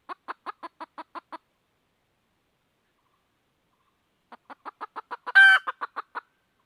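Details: A red junglefowl hen seeking a rooster, uttering a short run of quick clucks, a long silence, then another run interrupted by a sudden loud, harsh squawk before the clucking resumes.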